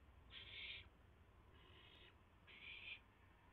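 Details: Nest owls at 3:38 AM on April 7, 2016, as a rabbit is delivered; three breathy harsh hisses, the middle one softer, about a second apart.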